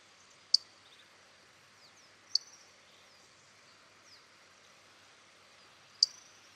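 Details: Fork-tailed flycatcher (Tyrannus savana) call in Itatiba, São Paulo, Brazil, 8 October 2016 at 15:42: three sharp, very high ticks at uneven two-to-four-second gaps over a faint steady high hiss.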